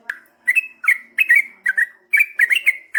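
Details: Yellow-vented bulbul in energetic long-rolling song for prompting replies from other birds: a sharp note, then a steady string of bubbly, chortling double whistles, roughly three each second.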